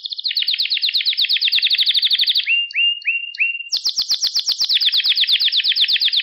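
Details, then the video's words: Canary singing in a recording made to train young canaries: a fast buzzy trill, four short whistled rising notes, then a bright, rapidly pulsed high trill. "Süper Kanarya Sesi | Orjinal Kanarya Sesi İle Kuşunuzun Ötüş Eğitimi"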